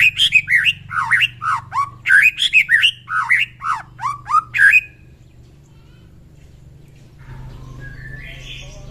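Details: White-rumped shama morning song, used to stir fighting spirit in other shamas. A rapid, loud string of varied, slurred whistles and sharp notes runs for five seconds, then fades into quiet background hum.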